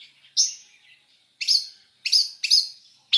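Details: Long-tailed shrike singing a full mixed song with fill-in phrases: short bright chirping bursts, each a fraction of a second, separated by brief pauses, sounding high and sharp with a slightly buzzy edge; no other sounds.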